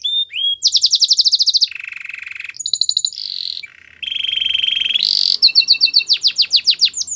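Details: Varied canary song for coaxing a quiet canary to sing: rapid high trills alternating with lower buzzy rolls, a brief pause, a long rolling trill, then fast sweeping whistled notes.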